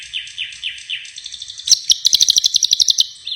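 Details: Songbird singing gacor (nonstop) after release: four quick falling chirps, then a fast series of about fifteen sharp, evenly repeated ticking notes.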